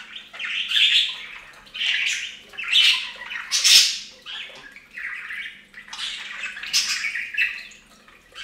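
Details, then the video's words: Budgerigars bathing at a bird fountain indoors, giving bursts of harsh, squawky chatter mixed with chirps, repeated roughly once a second with uneven spacing. "Best Budgie Bath EVER! + Budgie sounds"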